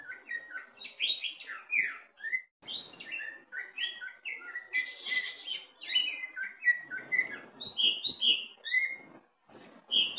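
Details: Greater green leafbird in a cage, singing from the bottom during a mental test: a long, energetic medley of varied whistles, slurs and buzzy chatter, including a burst of harsh rasping notes midway, hardly pausing.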